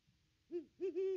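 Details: Nest-cam recording of a wild Great Horned Owl at its nest tree on Christmas Day 2021; a short low hoot followed by a longer, drawn-out double hoot, all deep and resonant.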